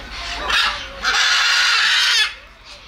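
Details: Macaw, a South American parrot, with two powerful harsh screams, a short one then a long grating squawk of over a second, fading to quiet.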